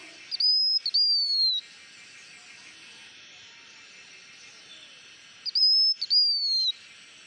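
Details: Blue-winged minla giving high, clear whistled phrases: two bursts of short, slightly falling notes, each lasting about a second, separated by roughly four seconds of quiet background hiss.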